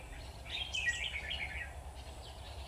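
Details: Red-whiskered bulbul used as a decoy in a trap cage: one short warbled phrase of bright, tumbling whistles over low background hum.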